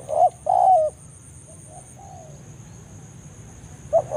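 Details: Lure cooing of a spotted dove in forest, used to bring other doves to a trapping site: a clipped note followed by a longer falling coo, quiet gap with soft echoes, then another short coo starts, under a constant high tone.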